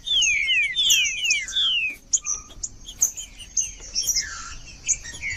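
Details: Green-winged saltator singing, a recording meant to stimulate quiet birds into song: loud clear whistled phrases, each slurring steeply downward, given in quick series, then shorter notes and scattered sharp chips with a steady high hiss behind.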